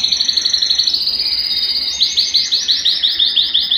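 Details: ['Belgian canary song used to warm up any cold canary. A fast, level, high trill shifts into slower, higher, rolling whistled notes. The song is loud and steady throughout.']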